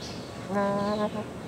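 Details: Hawaiian Goose, or Nēnē, a rare goose of Hawaiʻi: one short flat nasal honk of about half a second with stacked harmonics, then a faint trailing note, over quiet background hiss.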